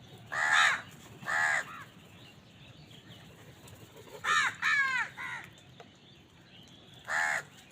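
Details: Crows feeding and competing for food call in short bursts: two harsh caws, a pause of about three seconds, then a quick pair and one final caw, all raspy and nasal.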